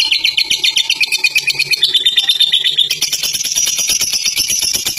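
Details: Long ngekek song of a caged fighter lovebird, a continuous fast chatter of shrill pulsed notes, shifting abruptly to a higher band midway and carrying on steadily.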